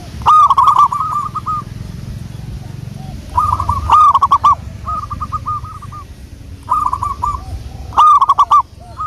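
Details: Zebra dove of local wild stock singing, a recording used as a lure: clusters of fast, bubbling hooked coos repeated about every two to three seconds, separated by quiet gaps with low background hum.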